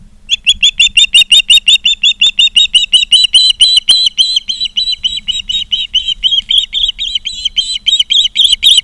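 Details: An osprey calls at the nest in Charlo, Montana, on a live camera, 16 September 2023, 16:05. A long, fast run of shrill whistled chirps runs on with slightly uneven spacing, sometimes overlapping, with light clicks and low rumble beneath.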